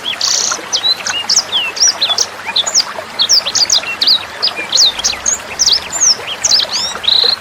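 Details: Sanger bird song used as a tutor recording for training songbirds such as Murai Batu, Kacer and Cucak Hijau: a rapid, continuous run of thin, high chirps and quick up- and down-sweeping whistles, with trickling water behind.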